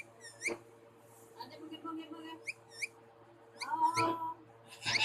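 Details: Two pet parrots making harsh, buzzy chattering notes with bright stacked overtones, short bursts repeated irregularly, ending in a louder raspy squawk; low hum throughout.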